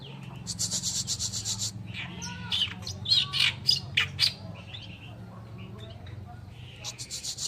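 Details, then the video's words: Oriental reed warbler singing loud, harsh, grating phrases of chattering rattles mixed with squeaky whistled notes, in bursts about four per second, over a steady low hum. "BURUNG MASTERAN KERAKBASI ALIS PUTIH ( Oriental Reed Warbler )"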